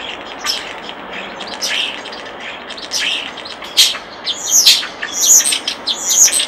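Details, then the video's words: Common starling singing by a nest box: scattered high chirps, clicks and whistles, growing denser and louder toward the end, over a steady hiss of background noise. "Common Starling Bird Song and Call By Nest Box"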